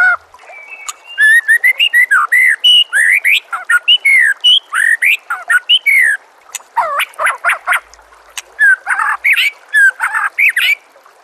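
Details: White-rumped shama song: a lively run of clear whistled notes, some sliding up and some down, mixed with rapid chattering bursts and short sharp chips, nearly continuous for eleven seconds.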